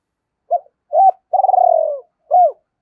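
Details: Spotted dove lure call meant to draw a dove into calling: two short coos, a long burred trill sliding slightly downward, then a final arched coo after a gap.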